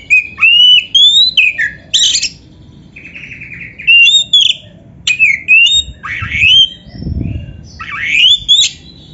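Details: Dense masteran song of a kacer (Oriental magpie-robin): nearly continuous whistled phrases, slurred rising notes and chattering bursts, with a brief low thump partway through.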